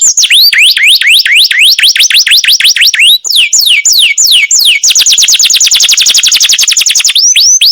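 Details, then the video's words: Canary masteran song, chattering: a string of high, quickly repeated upward-swooping whistles, then a dense, very fast roll of tight notes, and a few swoops again at the end. "suara kenari masteran"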